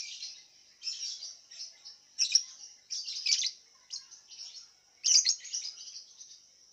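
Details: Caged lovebird entered in an online singing contest from Singkawang, West Kalimantan, delivers a string of shrill, harsh chirping bursts separated by brief gaps, with a steady high hiss throughout.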